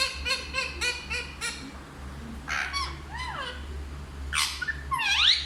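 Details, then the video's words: A parrot said to speak Hindi utters a quick run of short, harmonic, voice-like syllables, then pauses before a few sweeping whistled and squawky notes. A steady low hum runs underneath throughout. "सबसे अच्छा हिंदी बोलने वाला तोता ll Parrot Talking"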